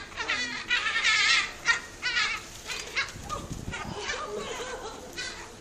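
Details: Great black-backed gull calling: a run of harsh, strident notes with stacked harmonics, strongest in the first two seconds, then fainter repeated yelps. Other gulls may be calling in the background.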